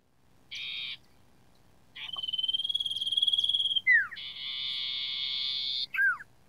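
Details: Sooty-headed bulbul, a training recording for caged songbirds: a short buzzy burst, then a long rapid pulsed trill, a sharp falling whistle and a sustained harsh buzzing phrase ending in another down-slurred note.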